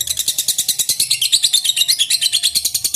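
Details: Lovebird ngekek, a long trilling bout to make rival birds sing: fast, regular pulses of shrill chattering, about seven per second, steady throughout, with a faint hum beneath.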